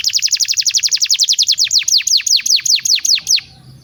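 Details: Canary master song for training juveniles: a very fast rolling trill of falling notes that gradually slows into longer, deeper downward sweeps, then silence.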